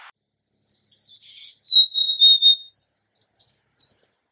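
A Golden-crowned sparrow gives one plaintive, high whistled phrase that slides gradually downward over about two seconds, followed by a brief faint chip.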